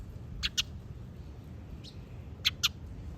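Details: Exchange of short calls in which a female bird answers a male's call with a quick 'pi': two pairs of sharp clipped chirps about two seconds apart, a soft faint note between them, low hum underneath.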